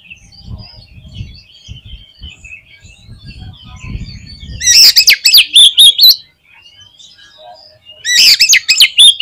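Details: Oriental magpie-robin in full song: soft scattered twittering and low rumble, then two loud bursts of rapid, sharp whistled notes with clicks, the second after a brief pause, on a quiet background.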